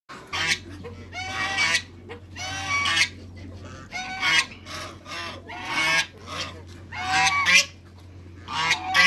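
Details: Three African geese on a farm, meeting a visitor, give loud, harsh, nasal honks in bursts every second or so, calls overlapping from several birds, over a steady low mechanical hum.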